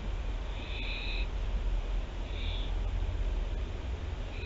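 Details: Barn owls at Théding, France, on 24 September 2021; three short, harsh, hissing screeches, each about half a second, over a steady low background rumble.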